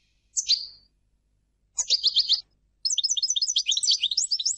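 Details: A single European goldfinch gives a sharp downslurred call, then a brief twittering phrase and, after a pause, a long run of rapid, sparkling, high chirps and trills in a quiet setting.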